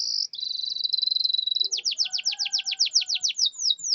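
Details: Canary lure song for quiet, stalled canaries: a high buzzy trill runs into a series of rhythmic downslurred whistles, about five per second, over faint lower tones.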